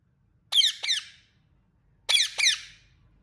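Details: Indian ringneck parrot chirping: two pairs of sharp, high, downward-slurred chirps, the pairs about one and a half seconds apart, against a quiet background.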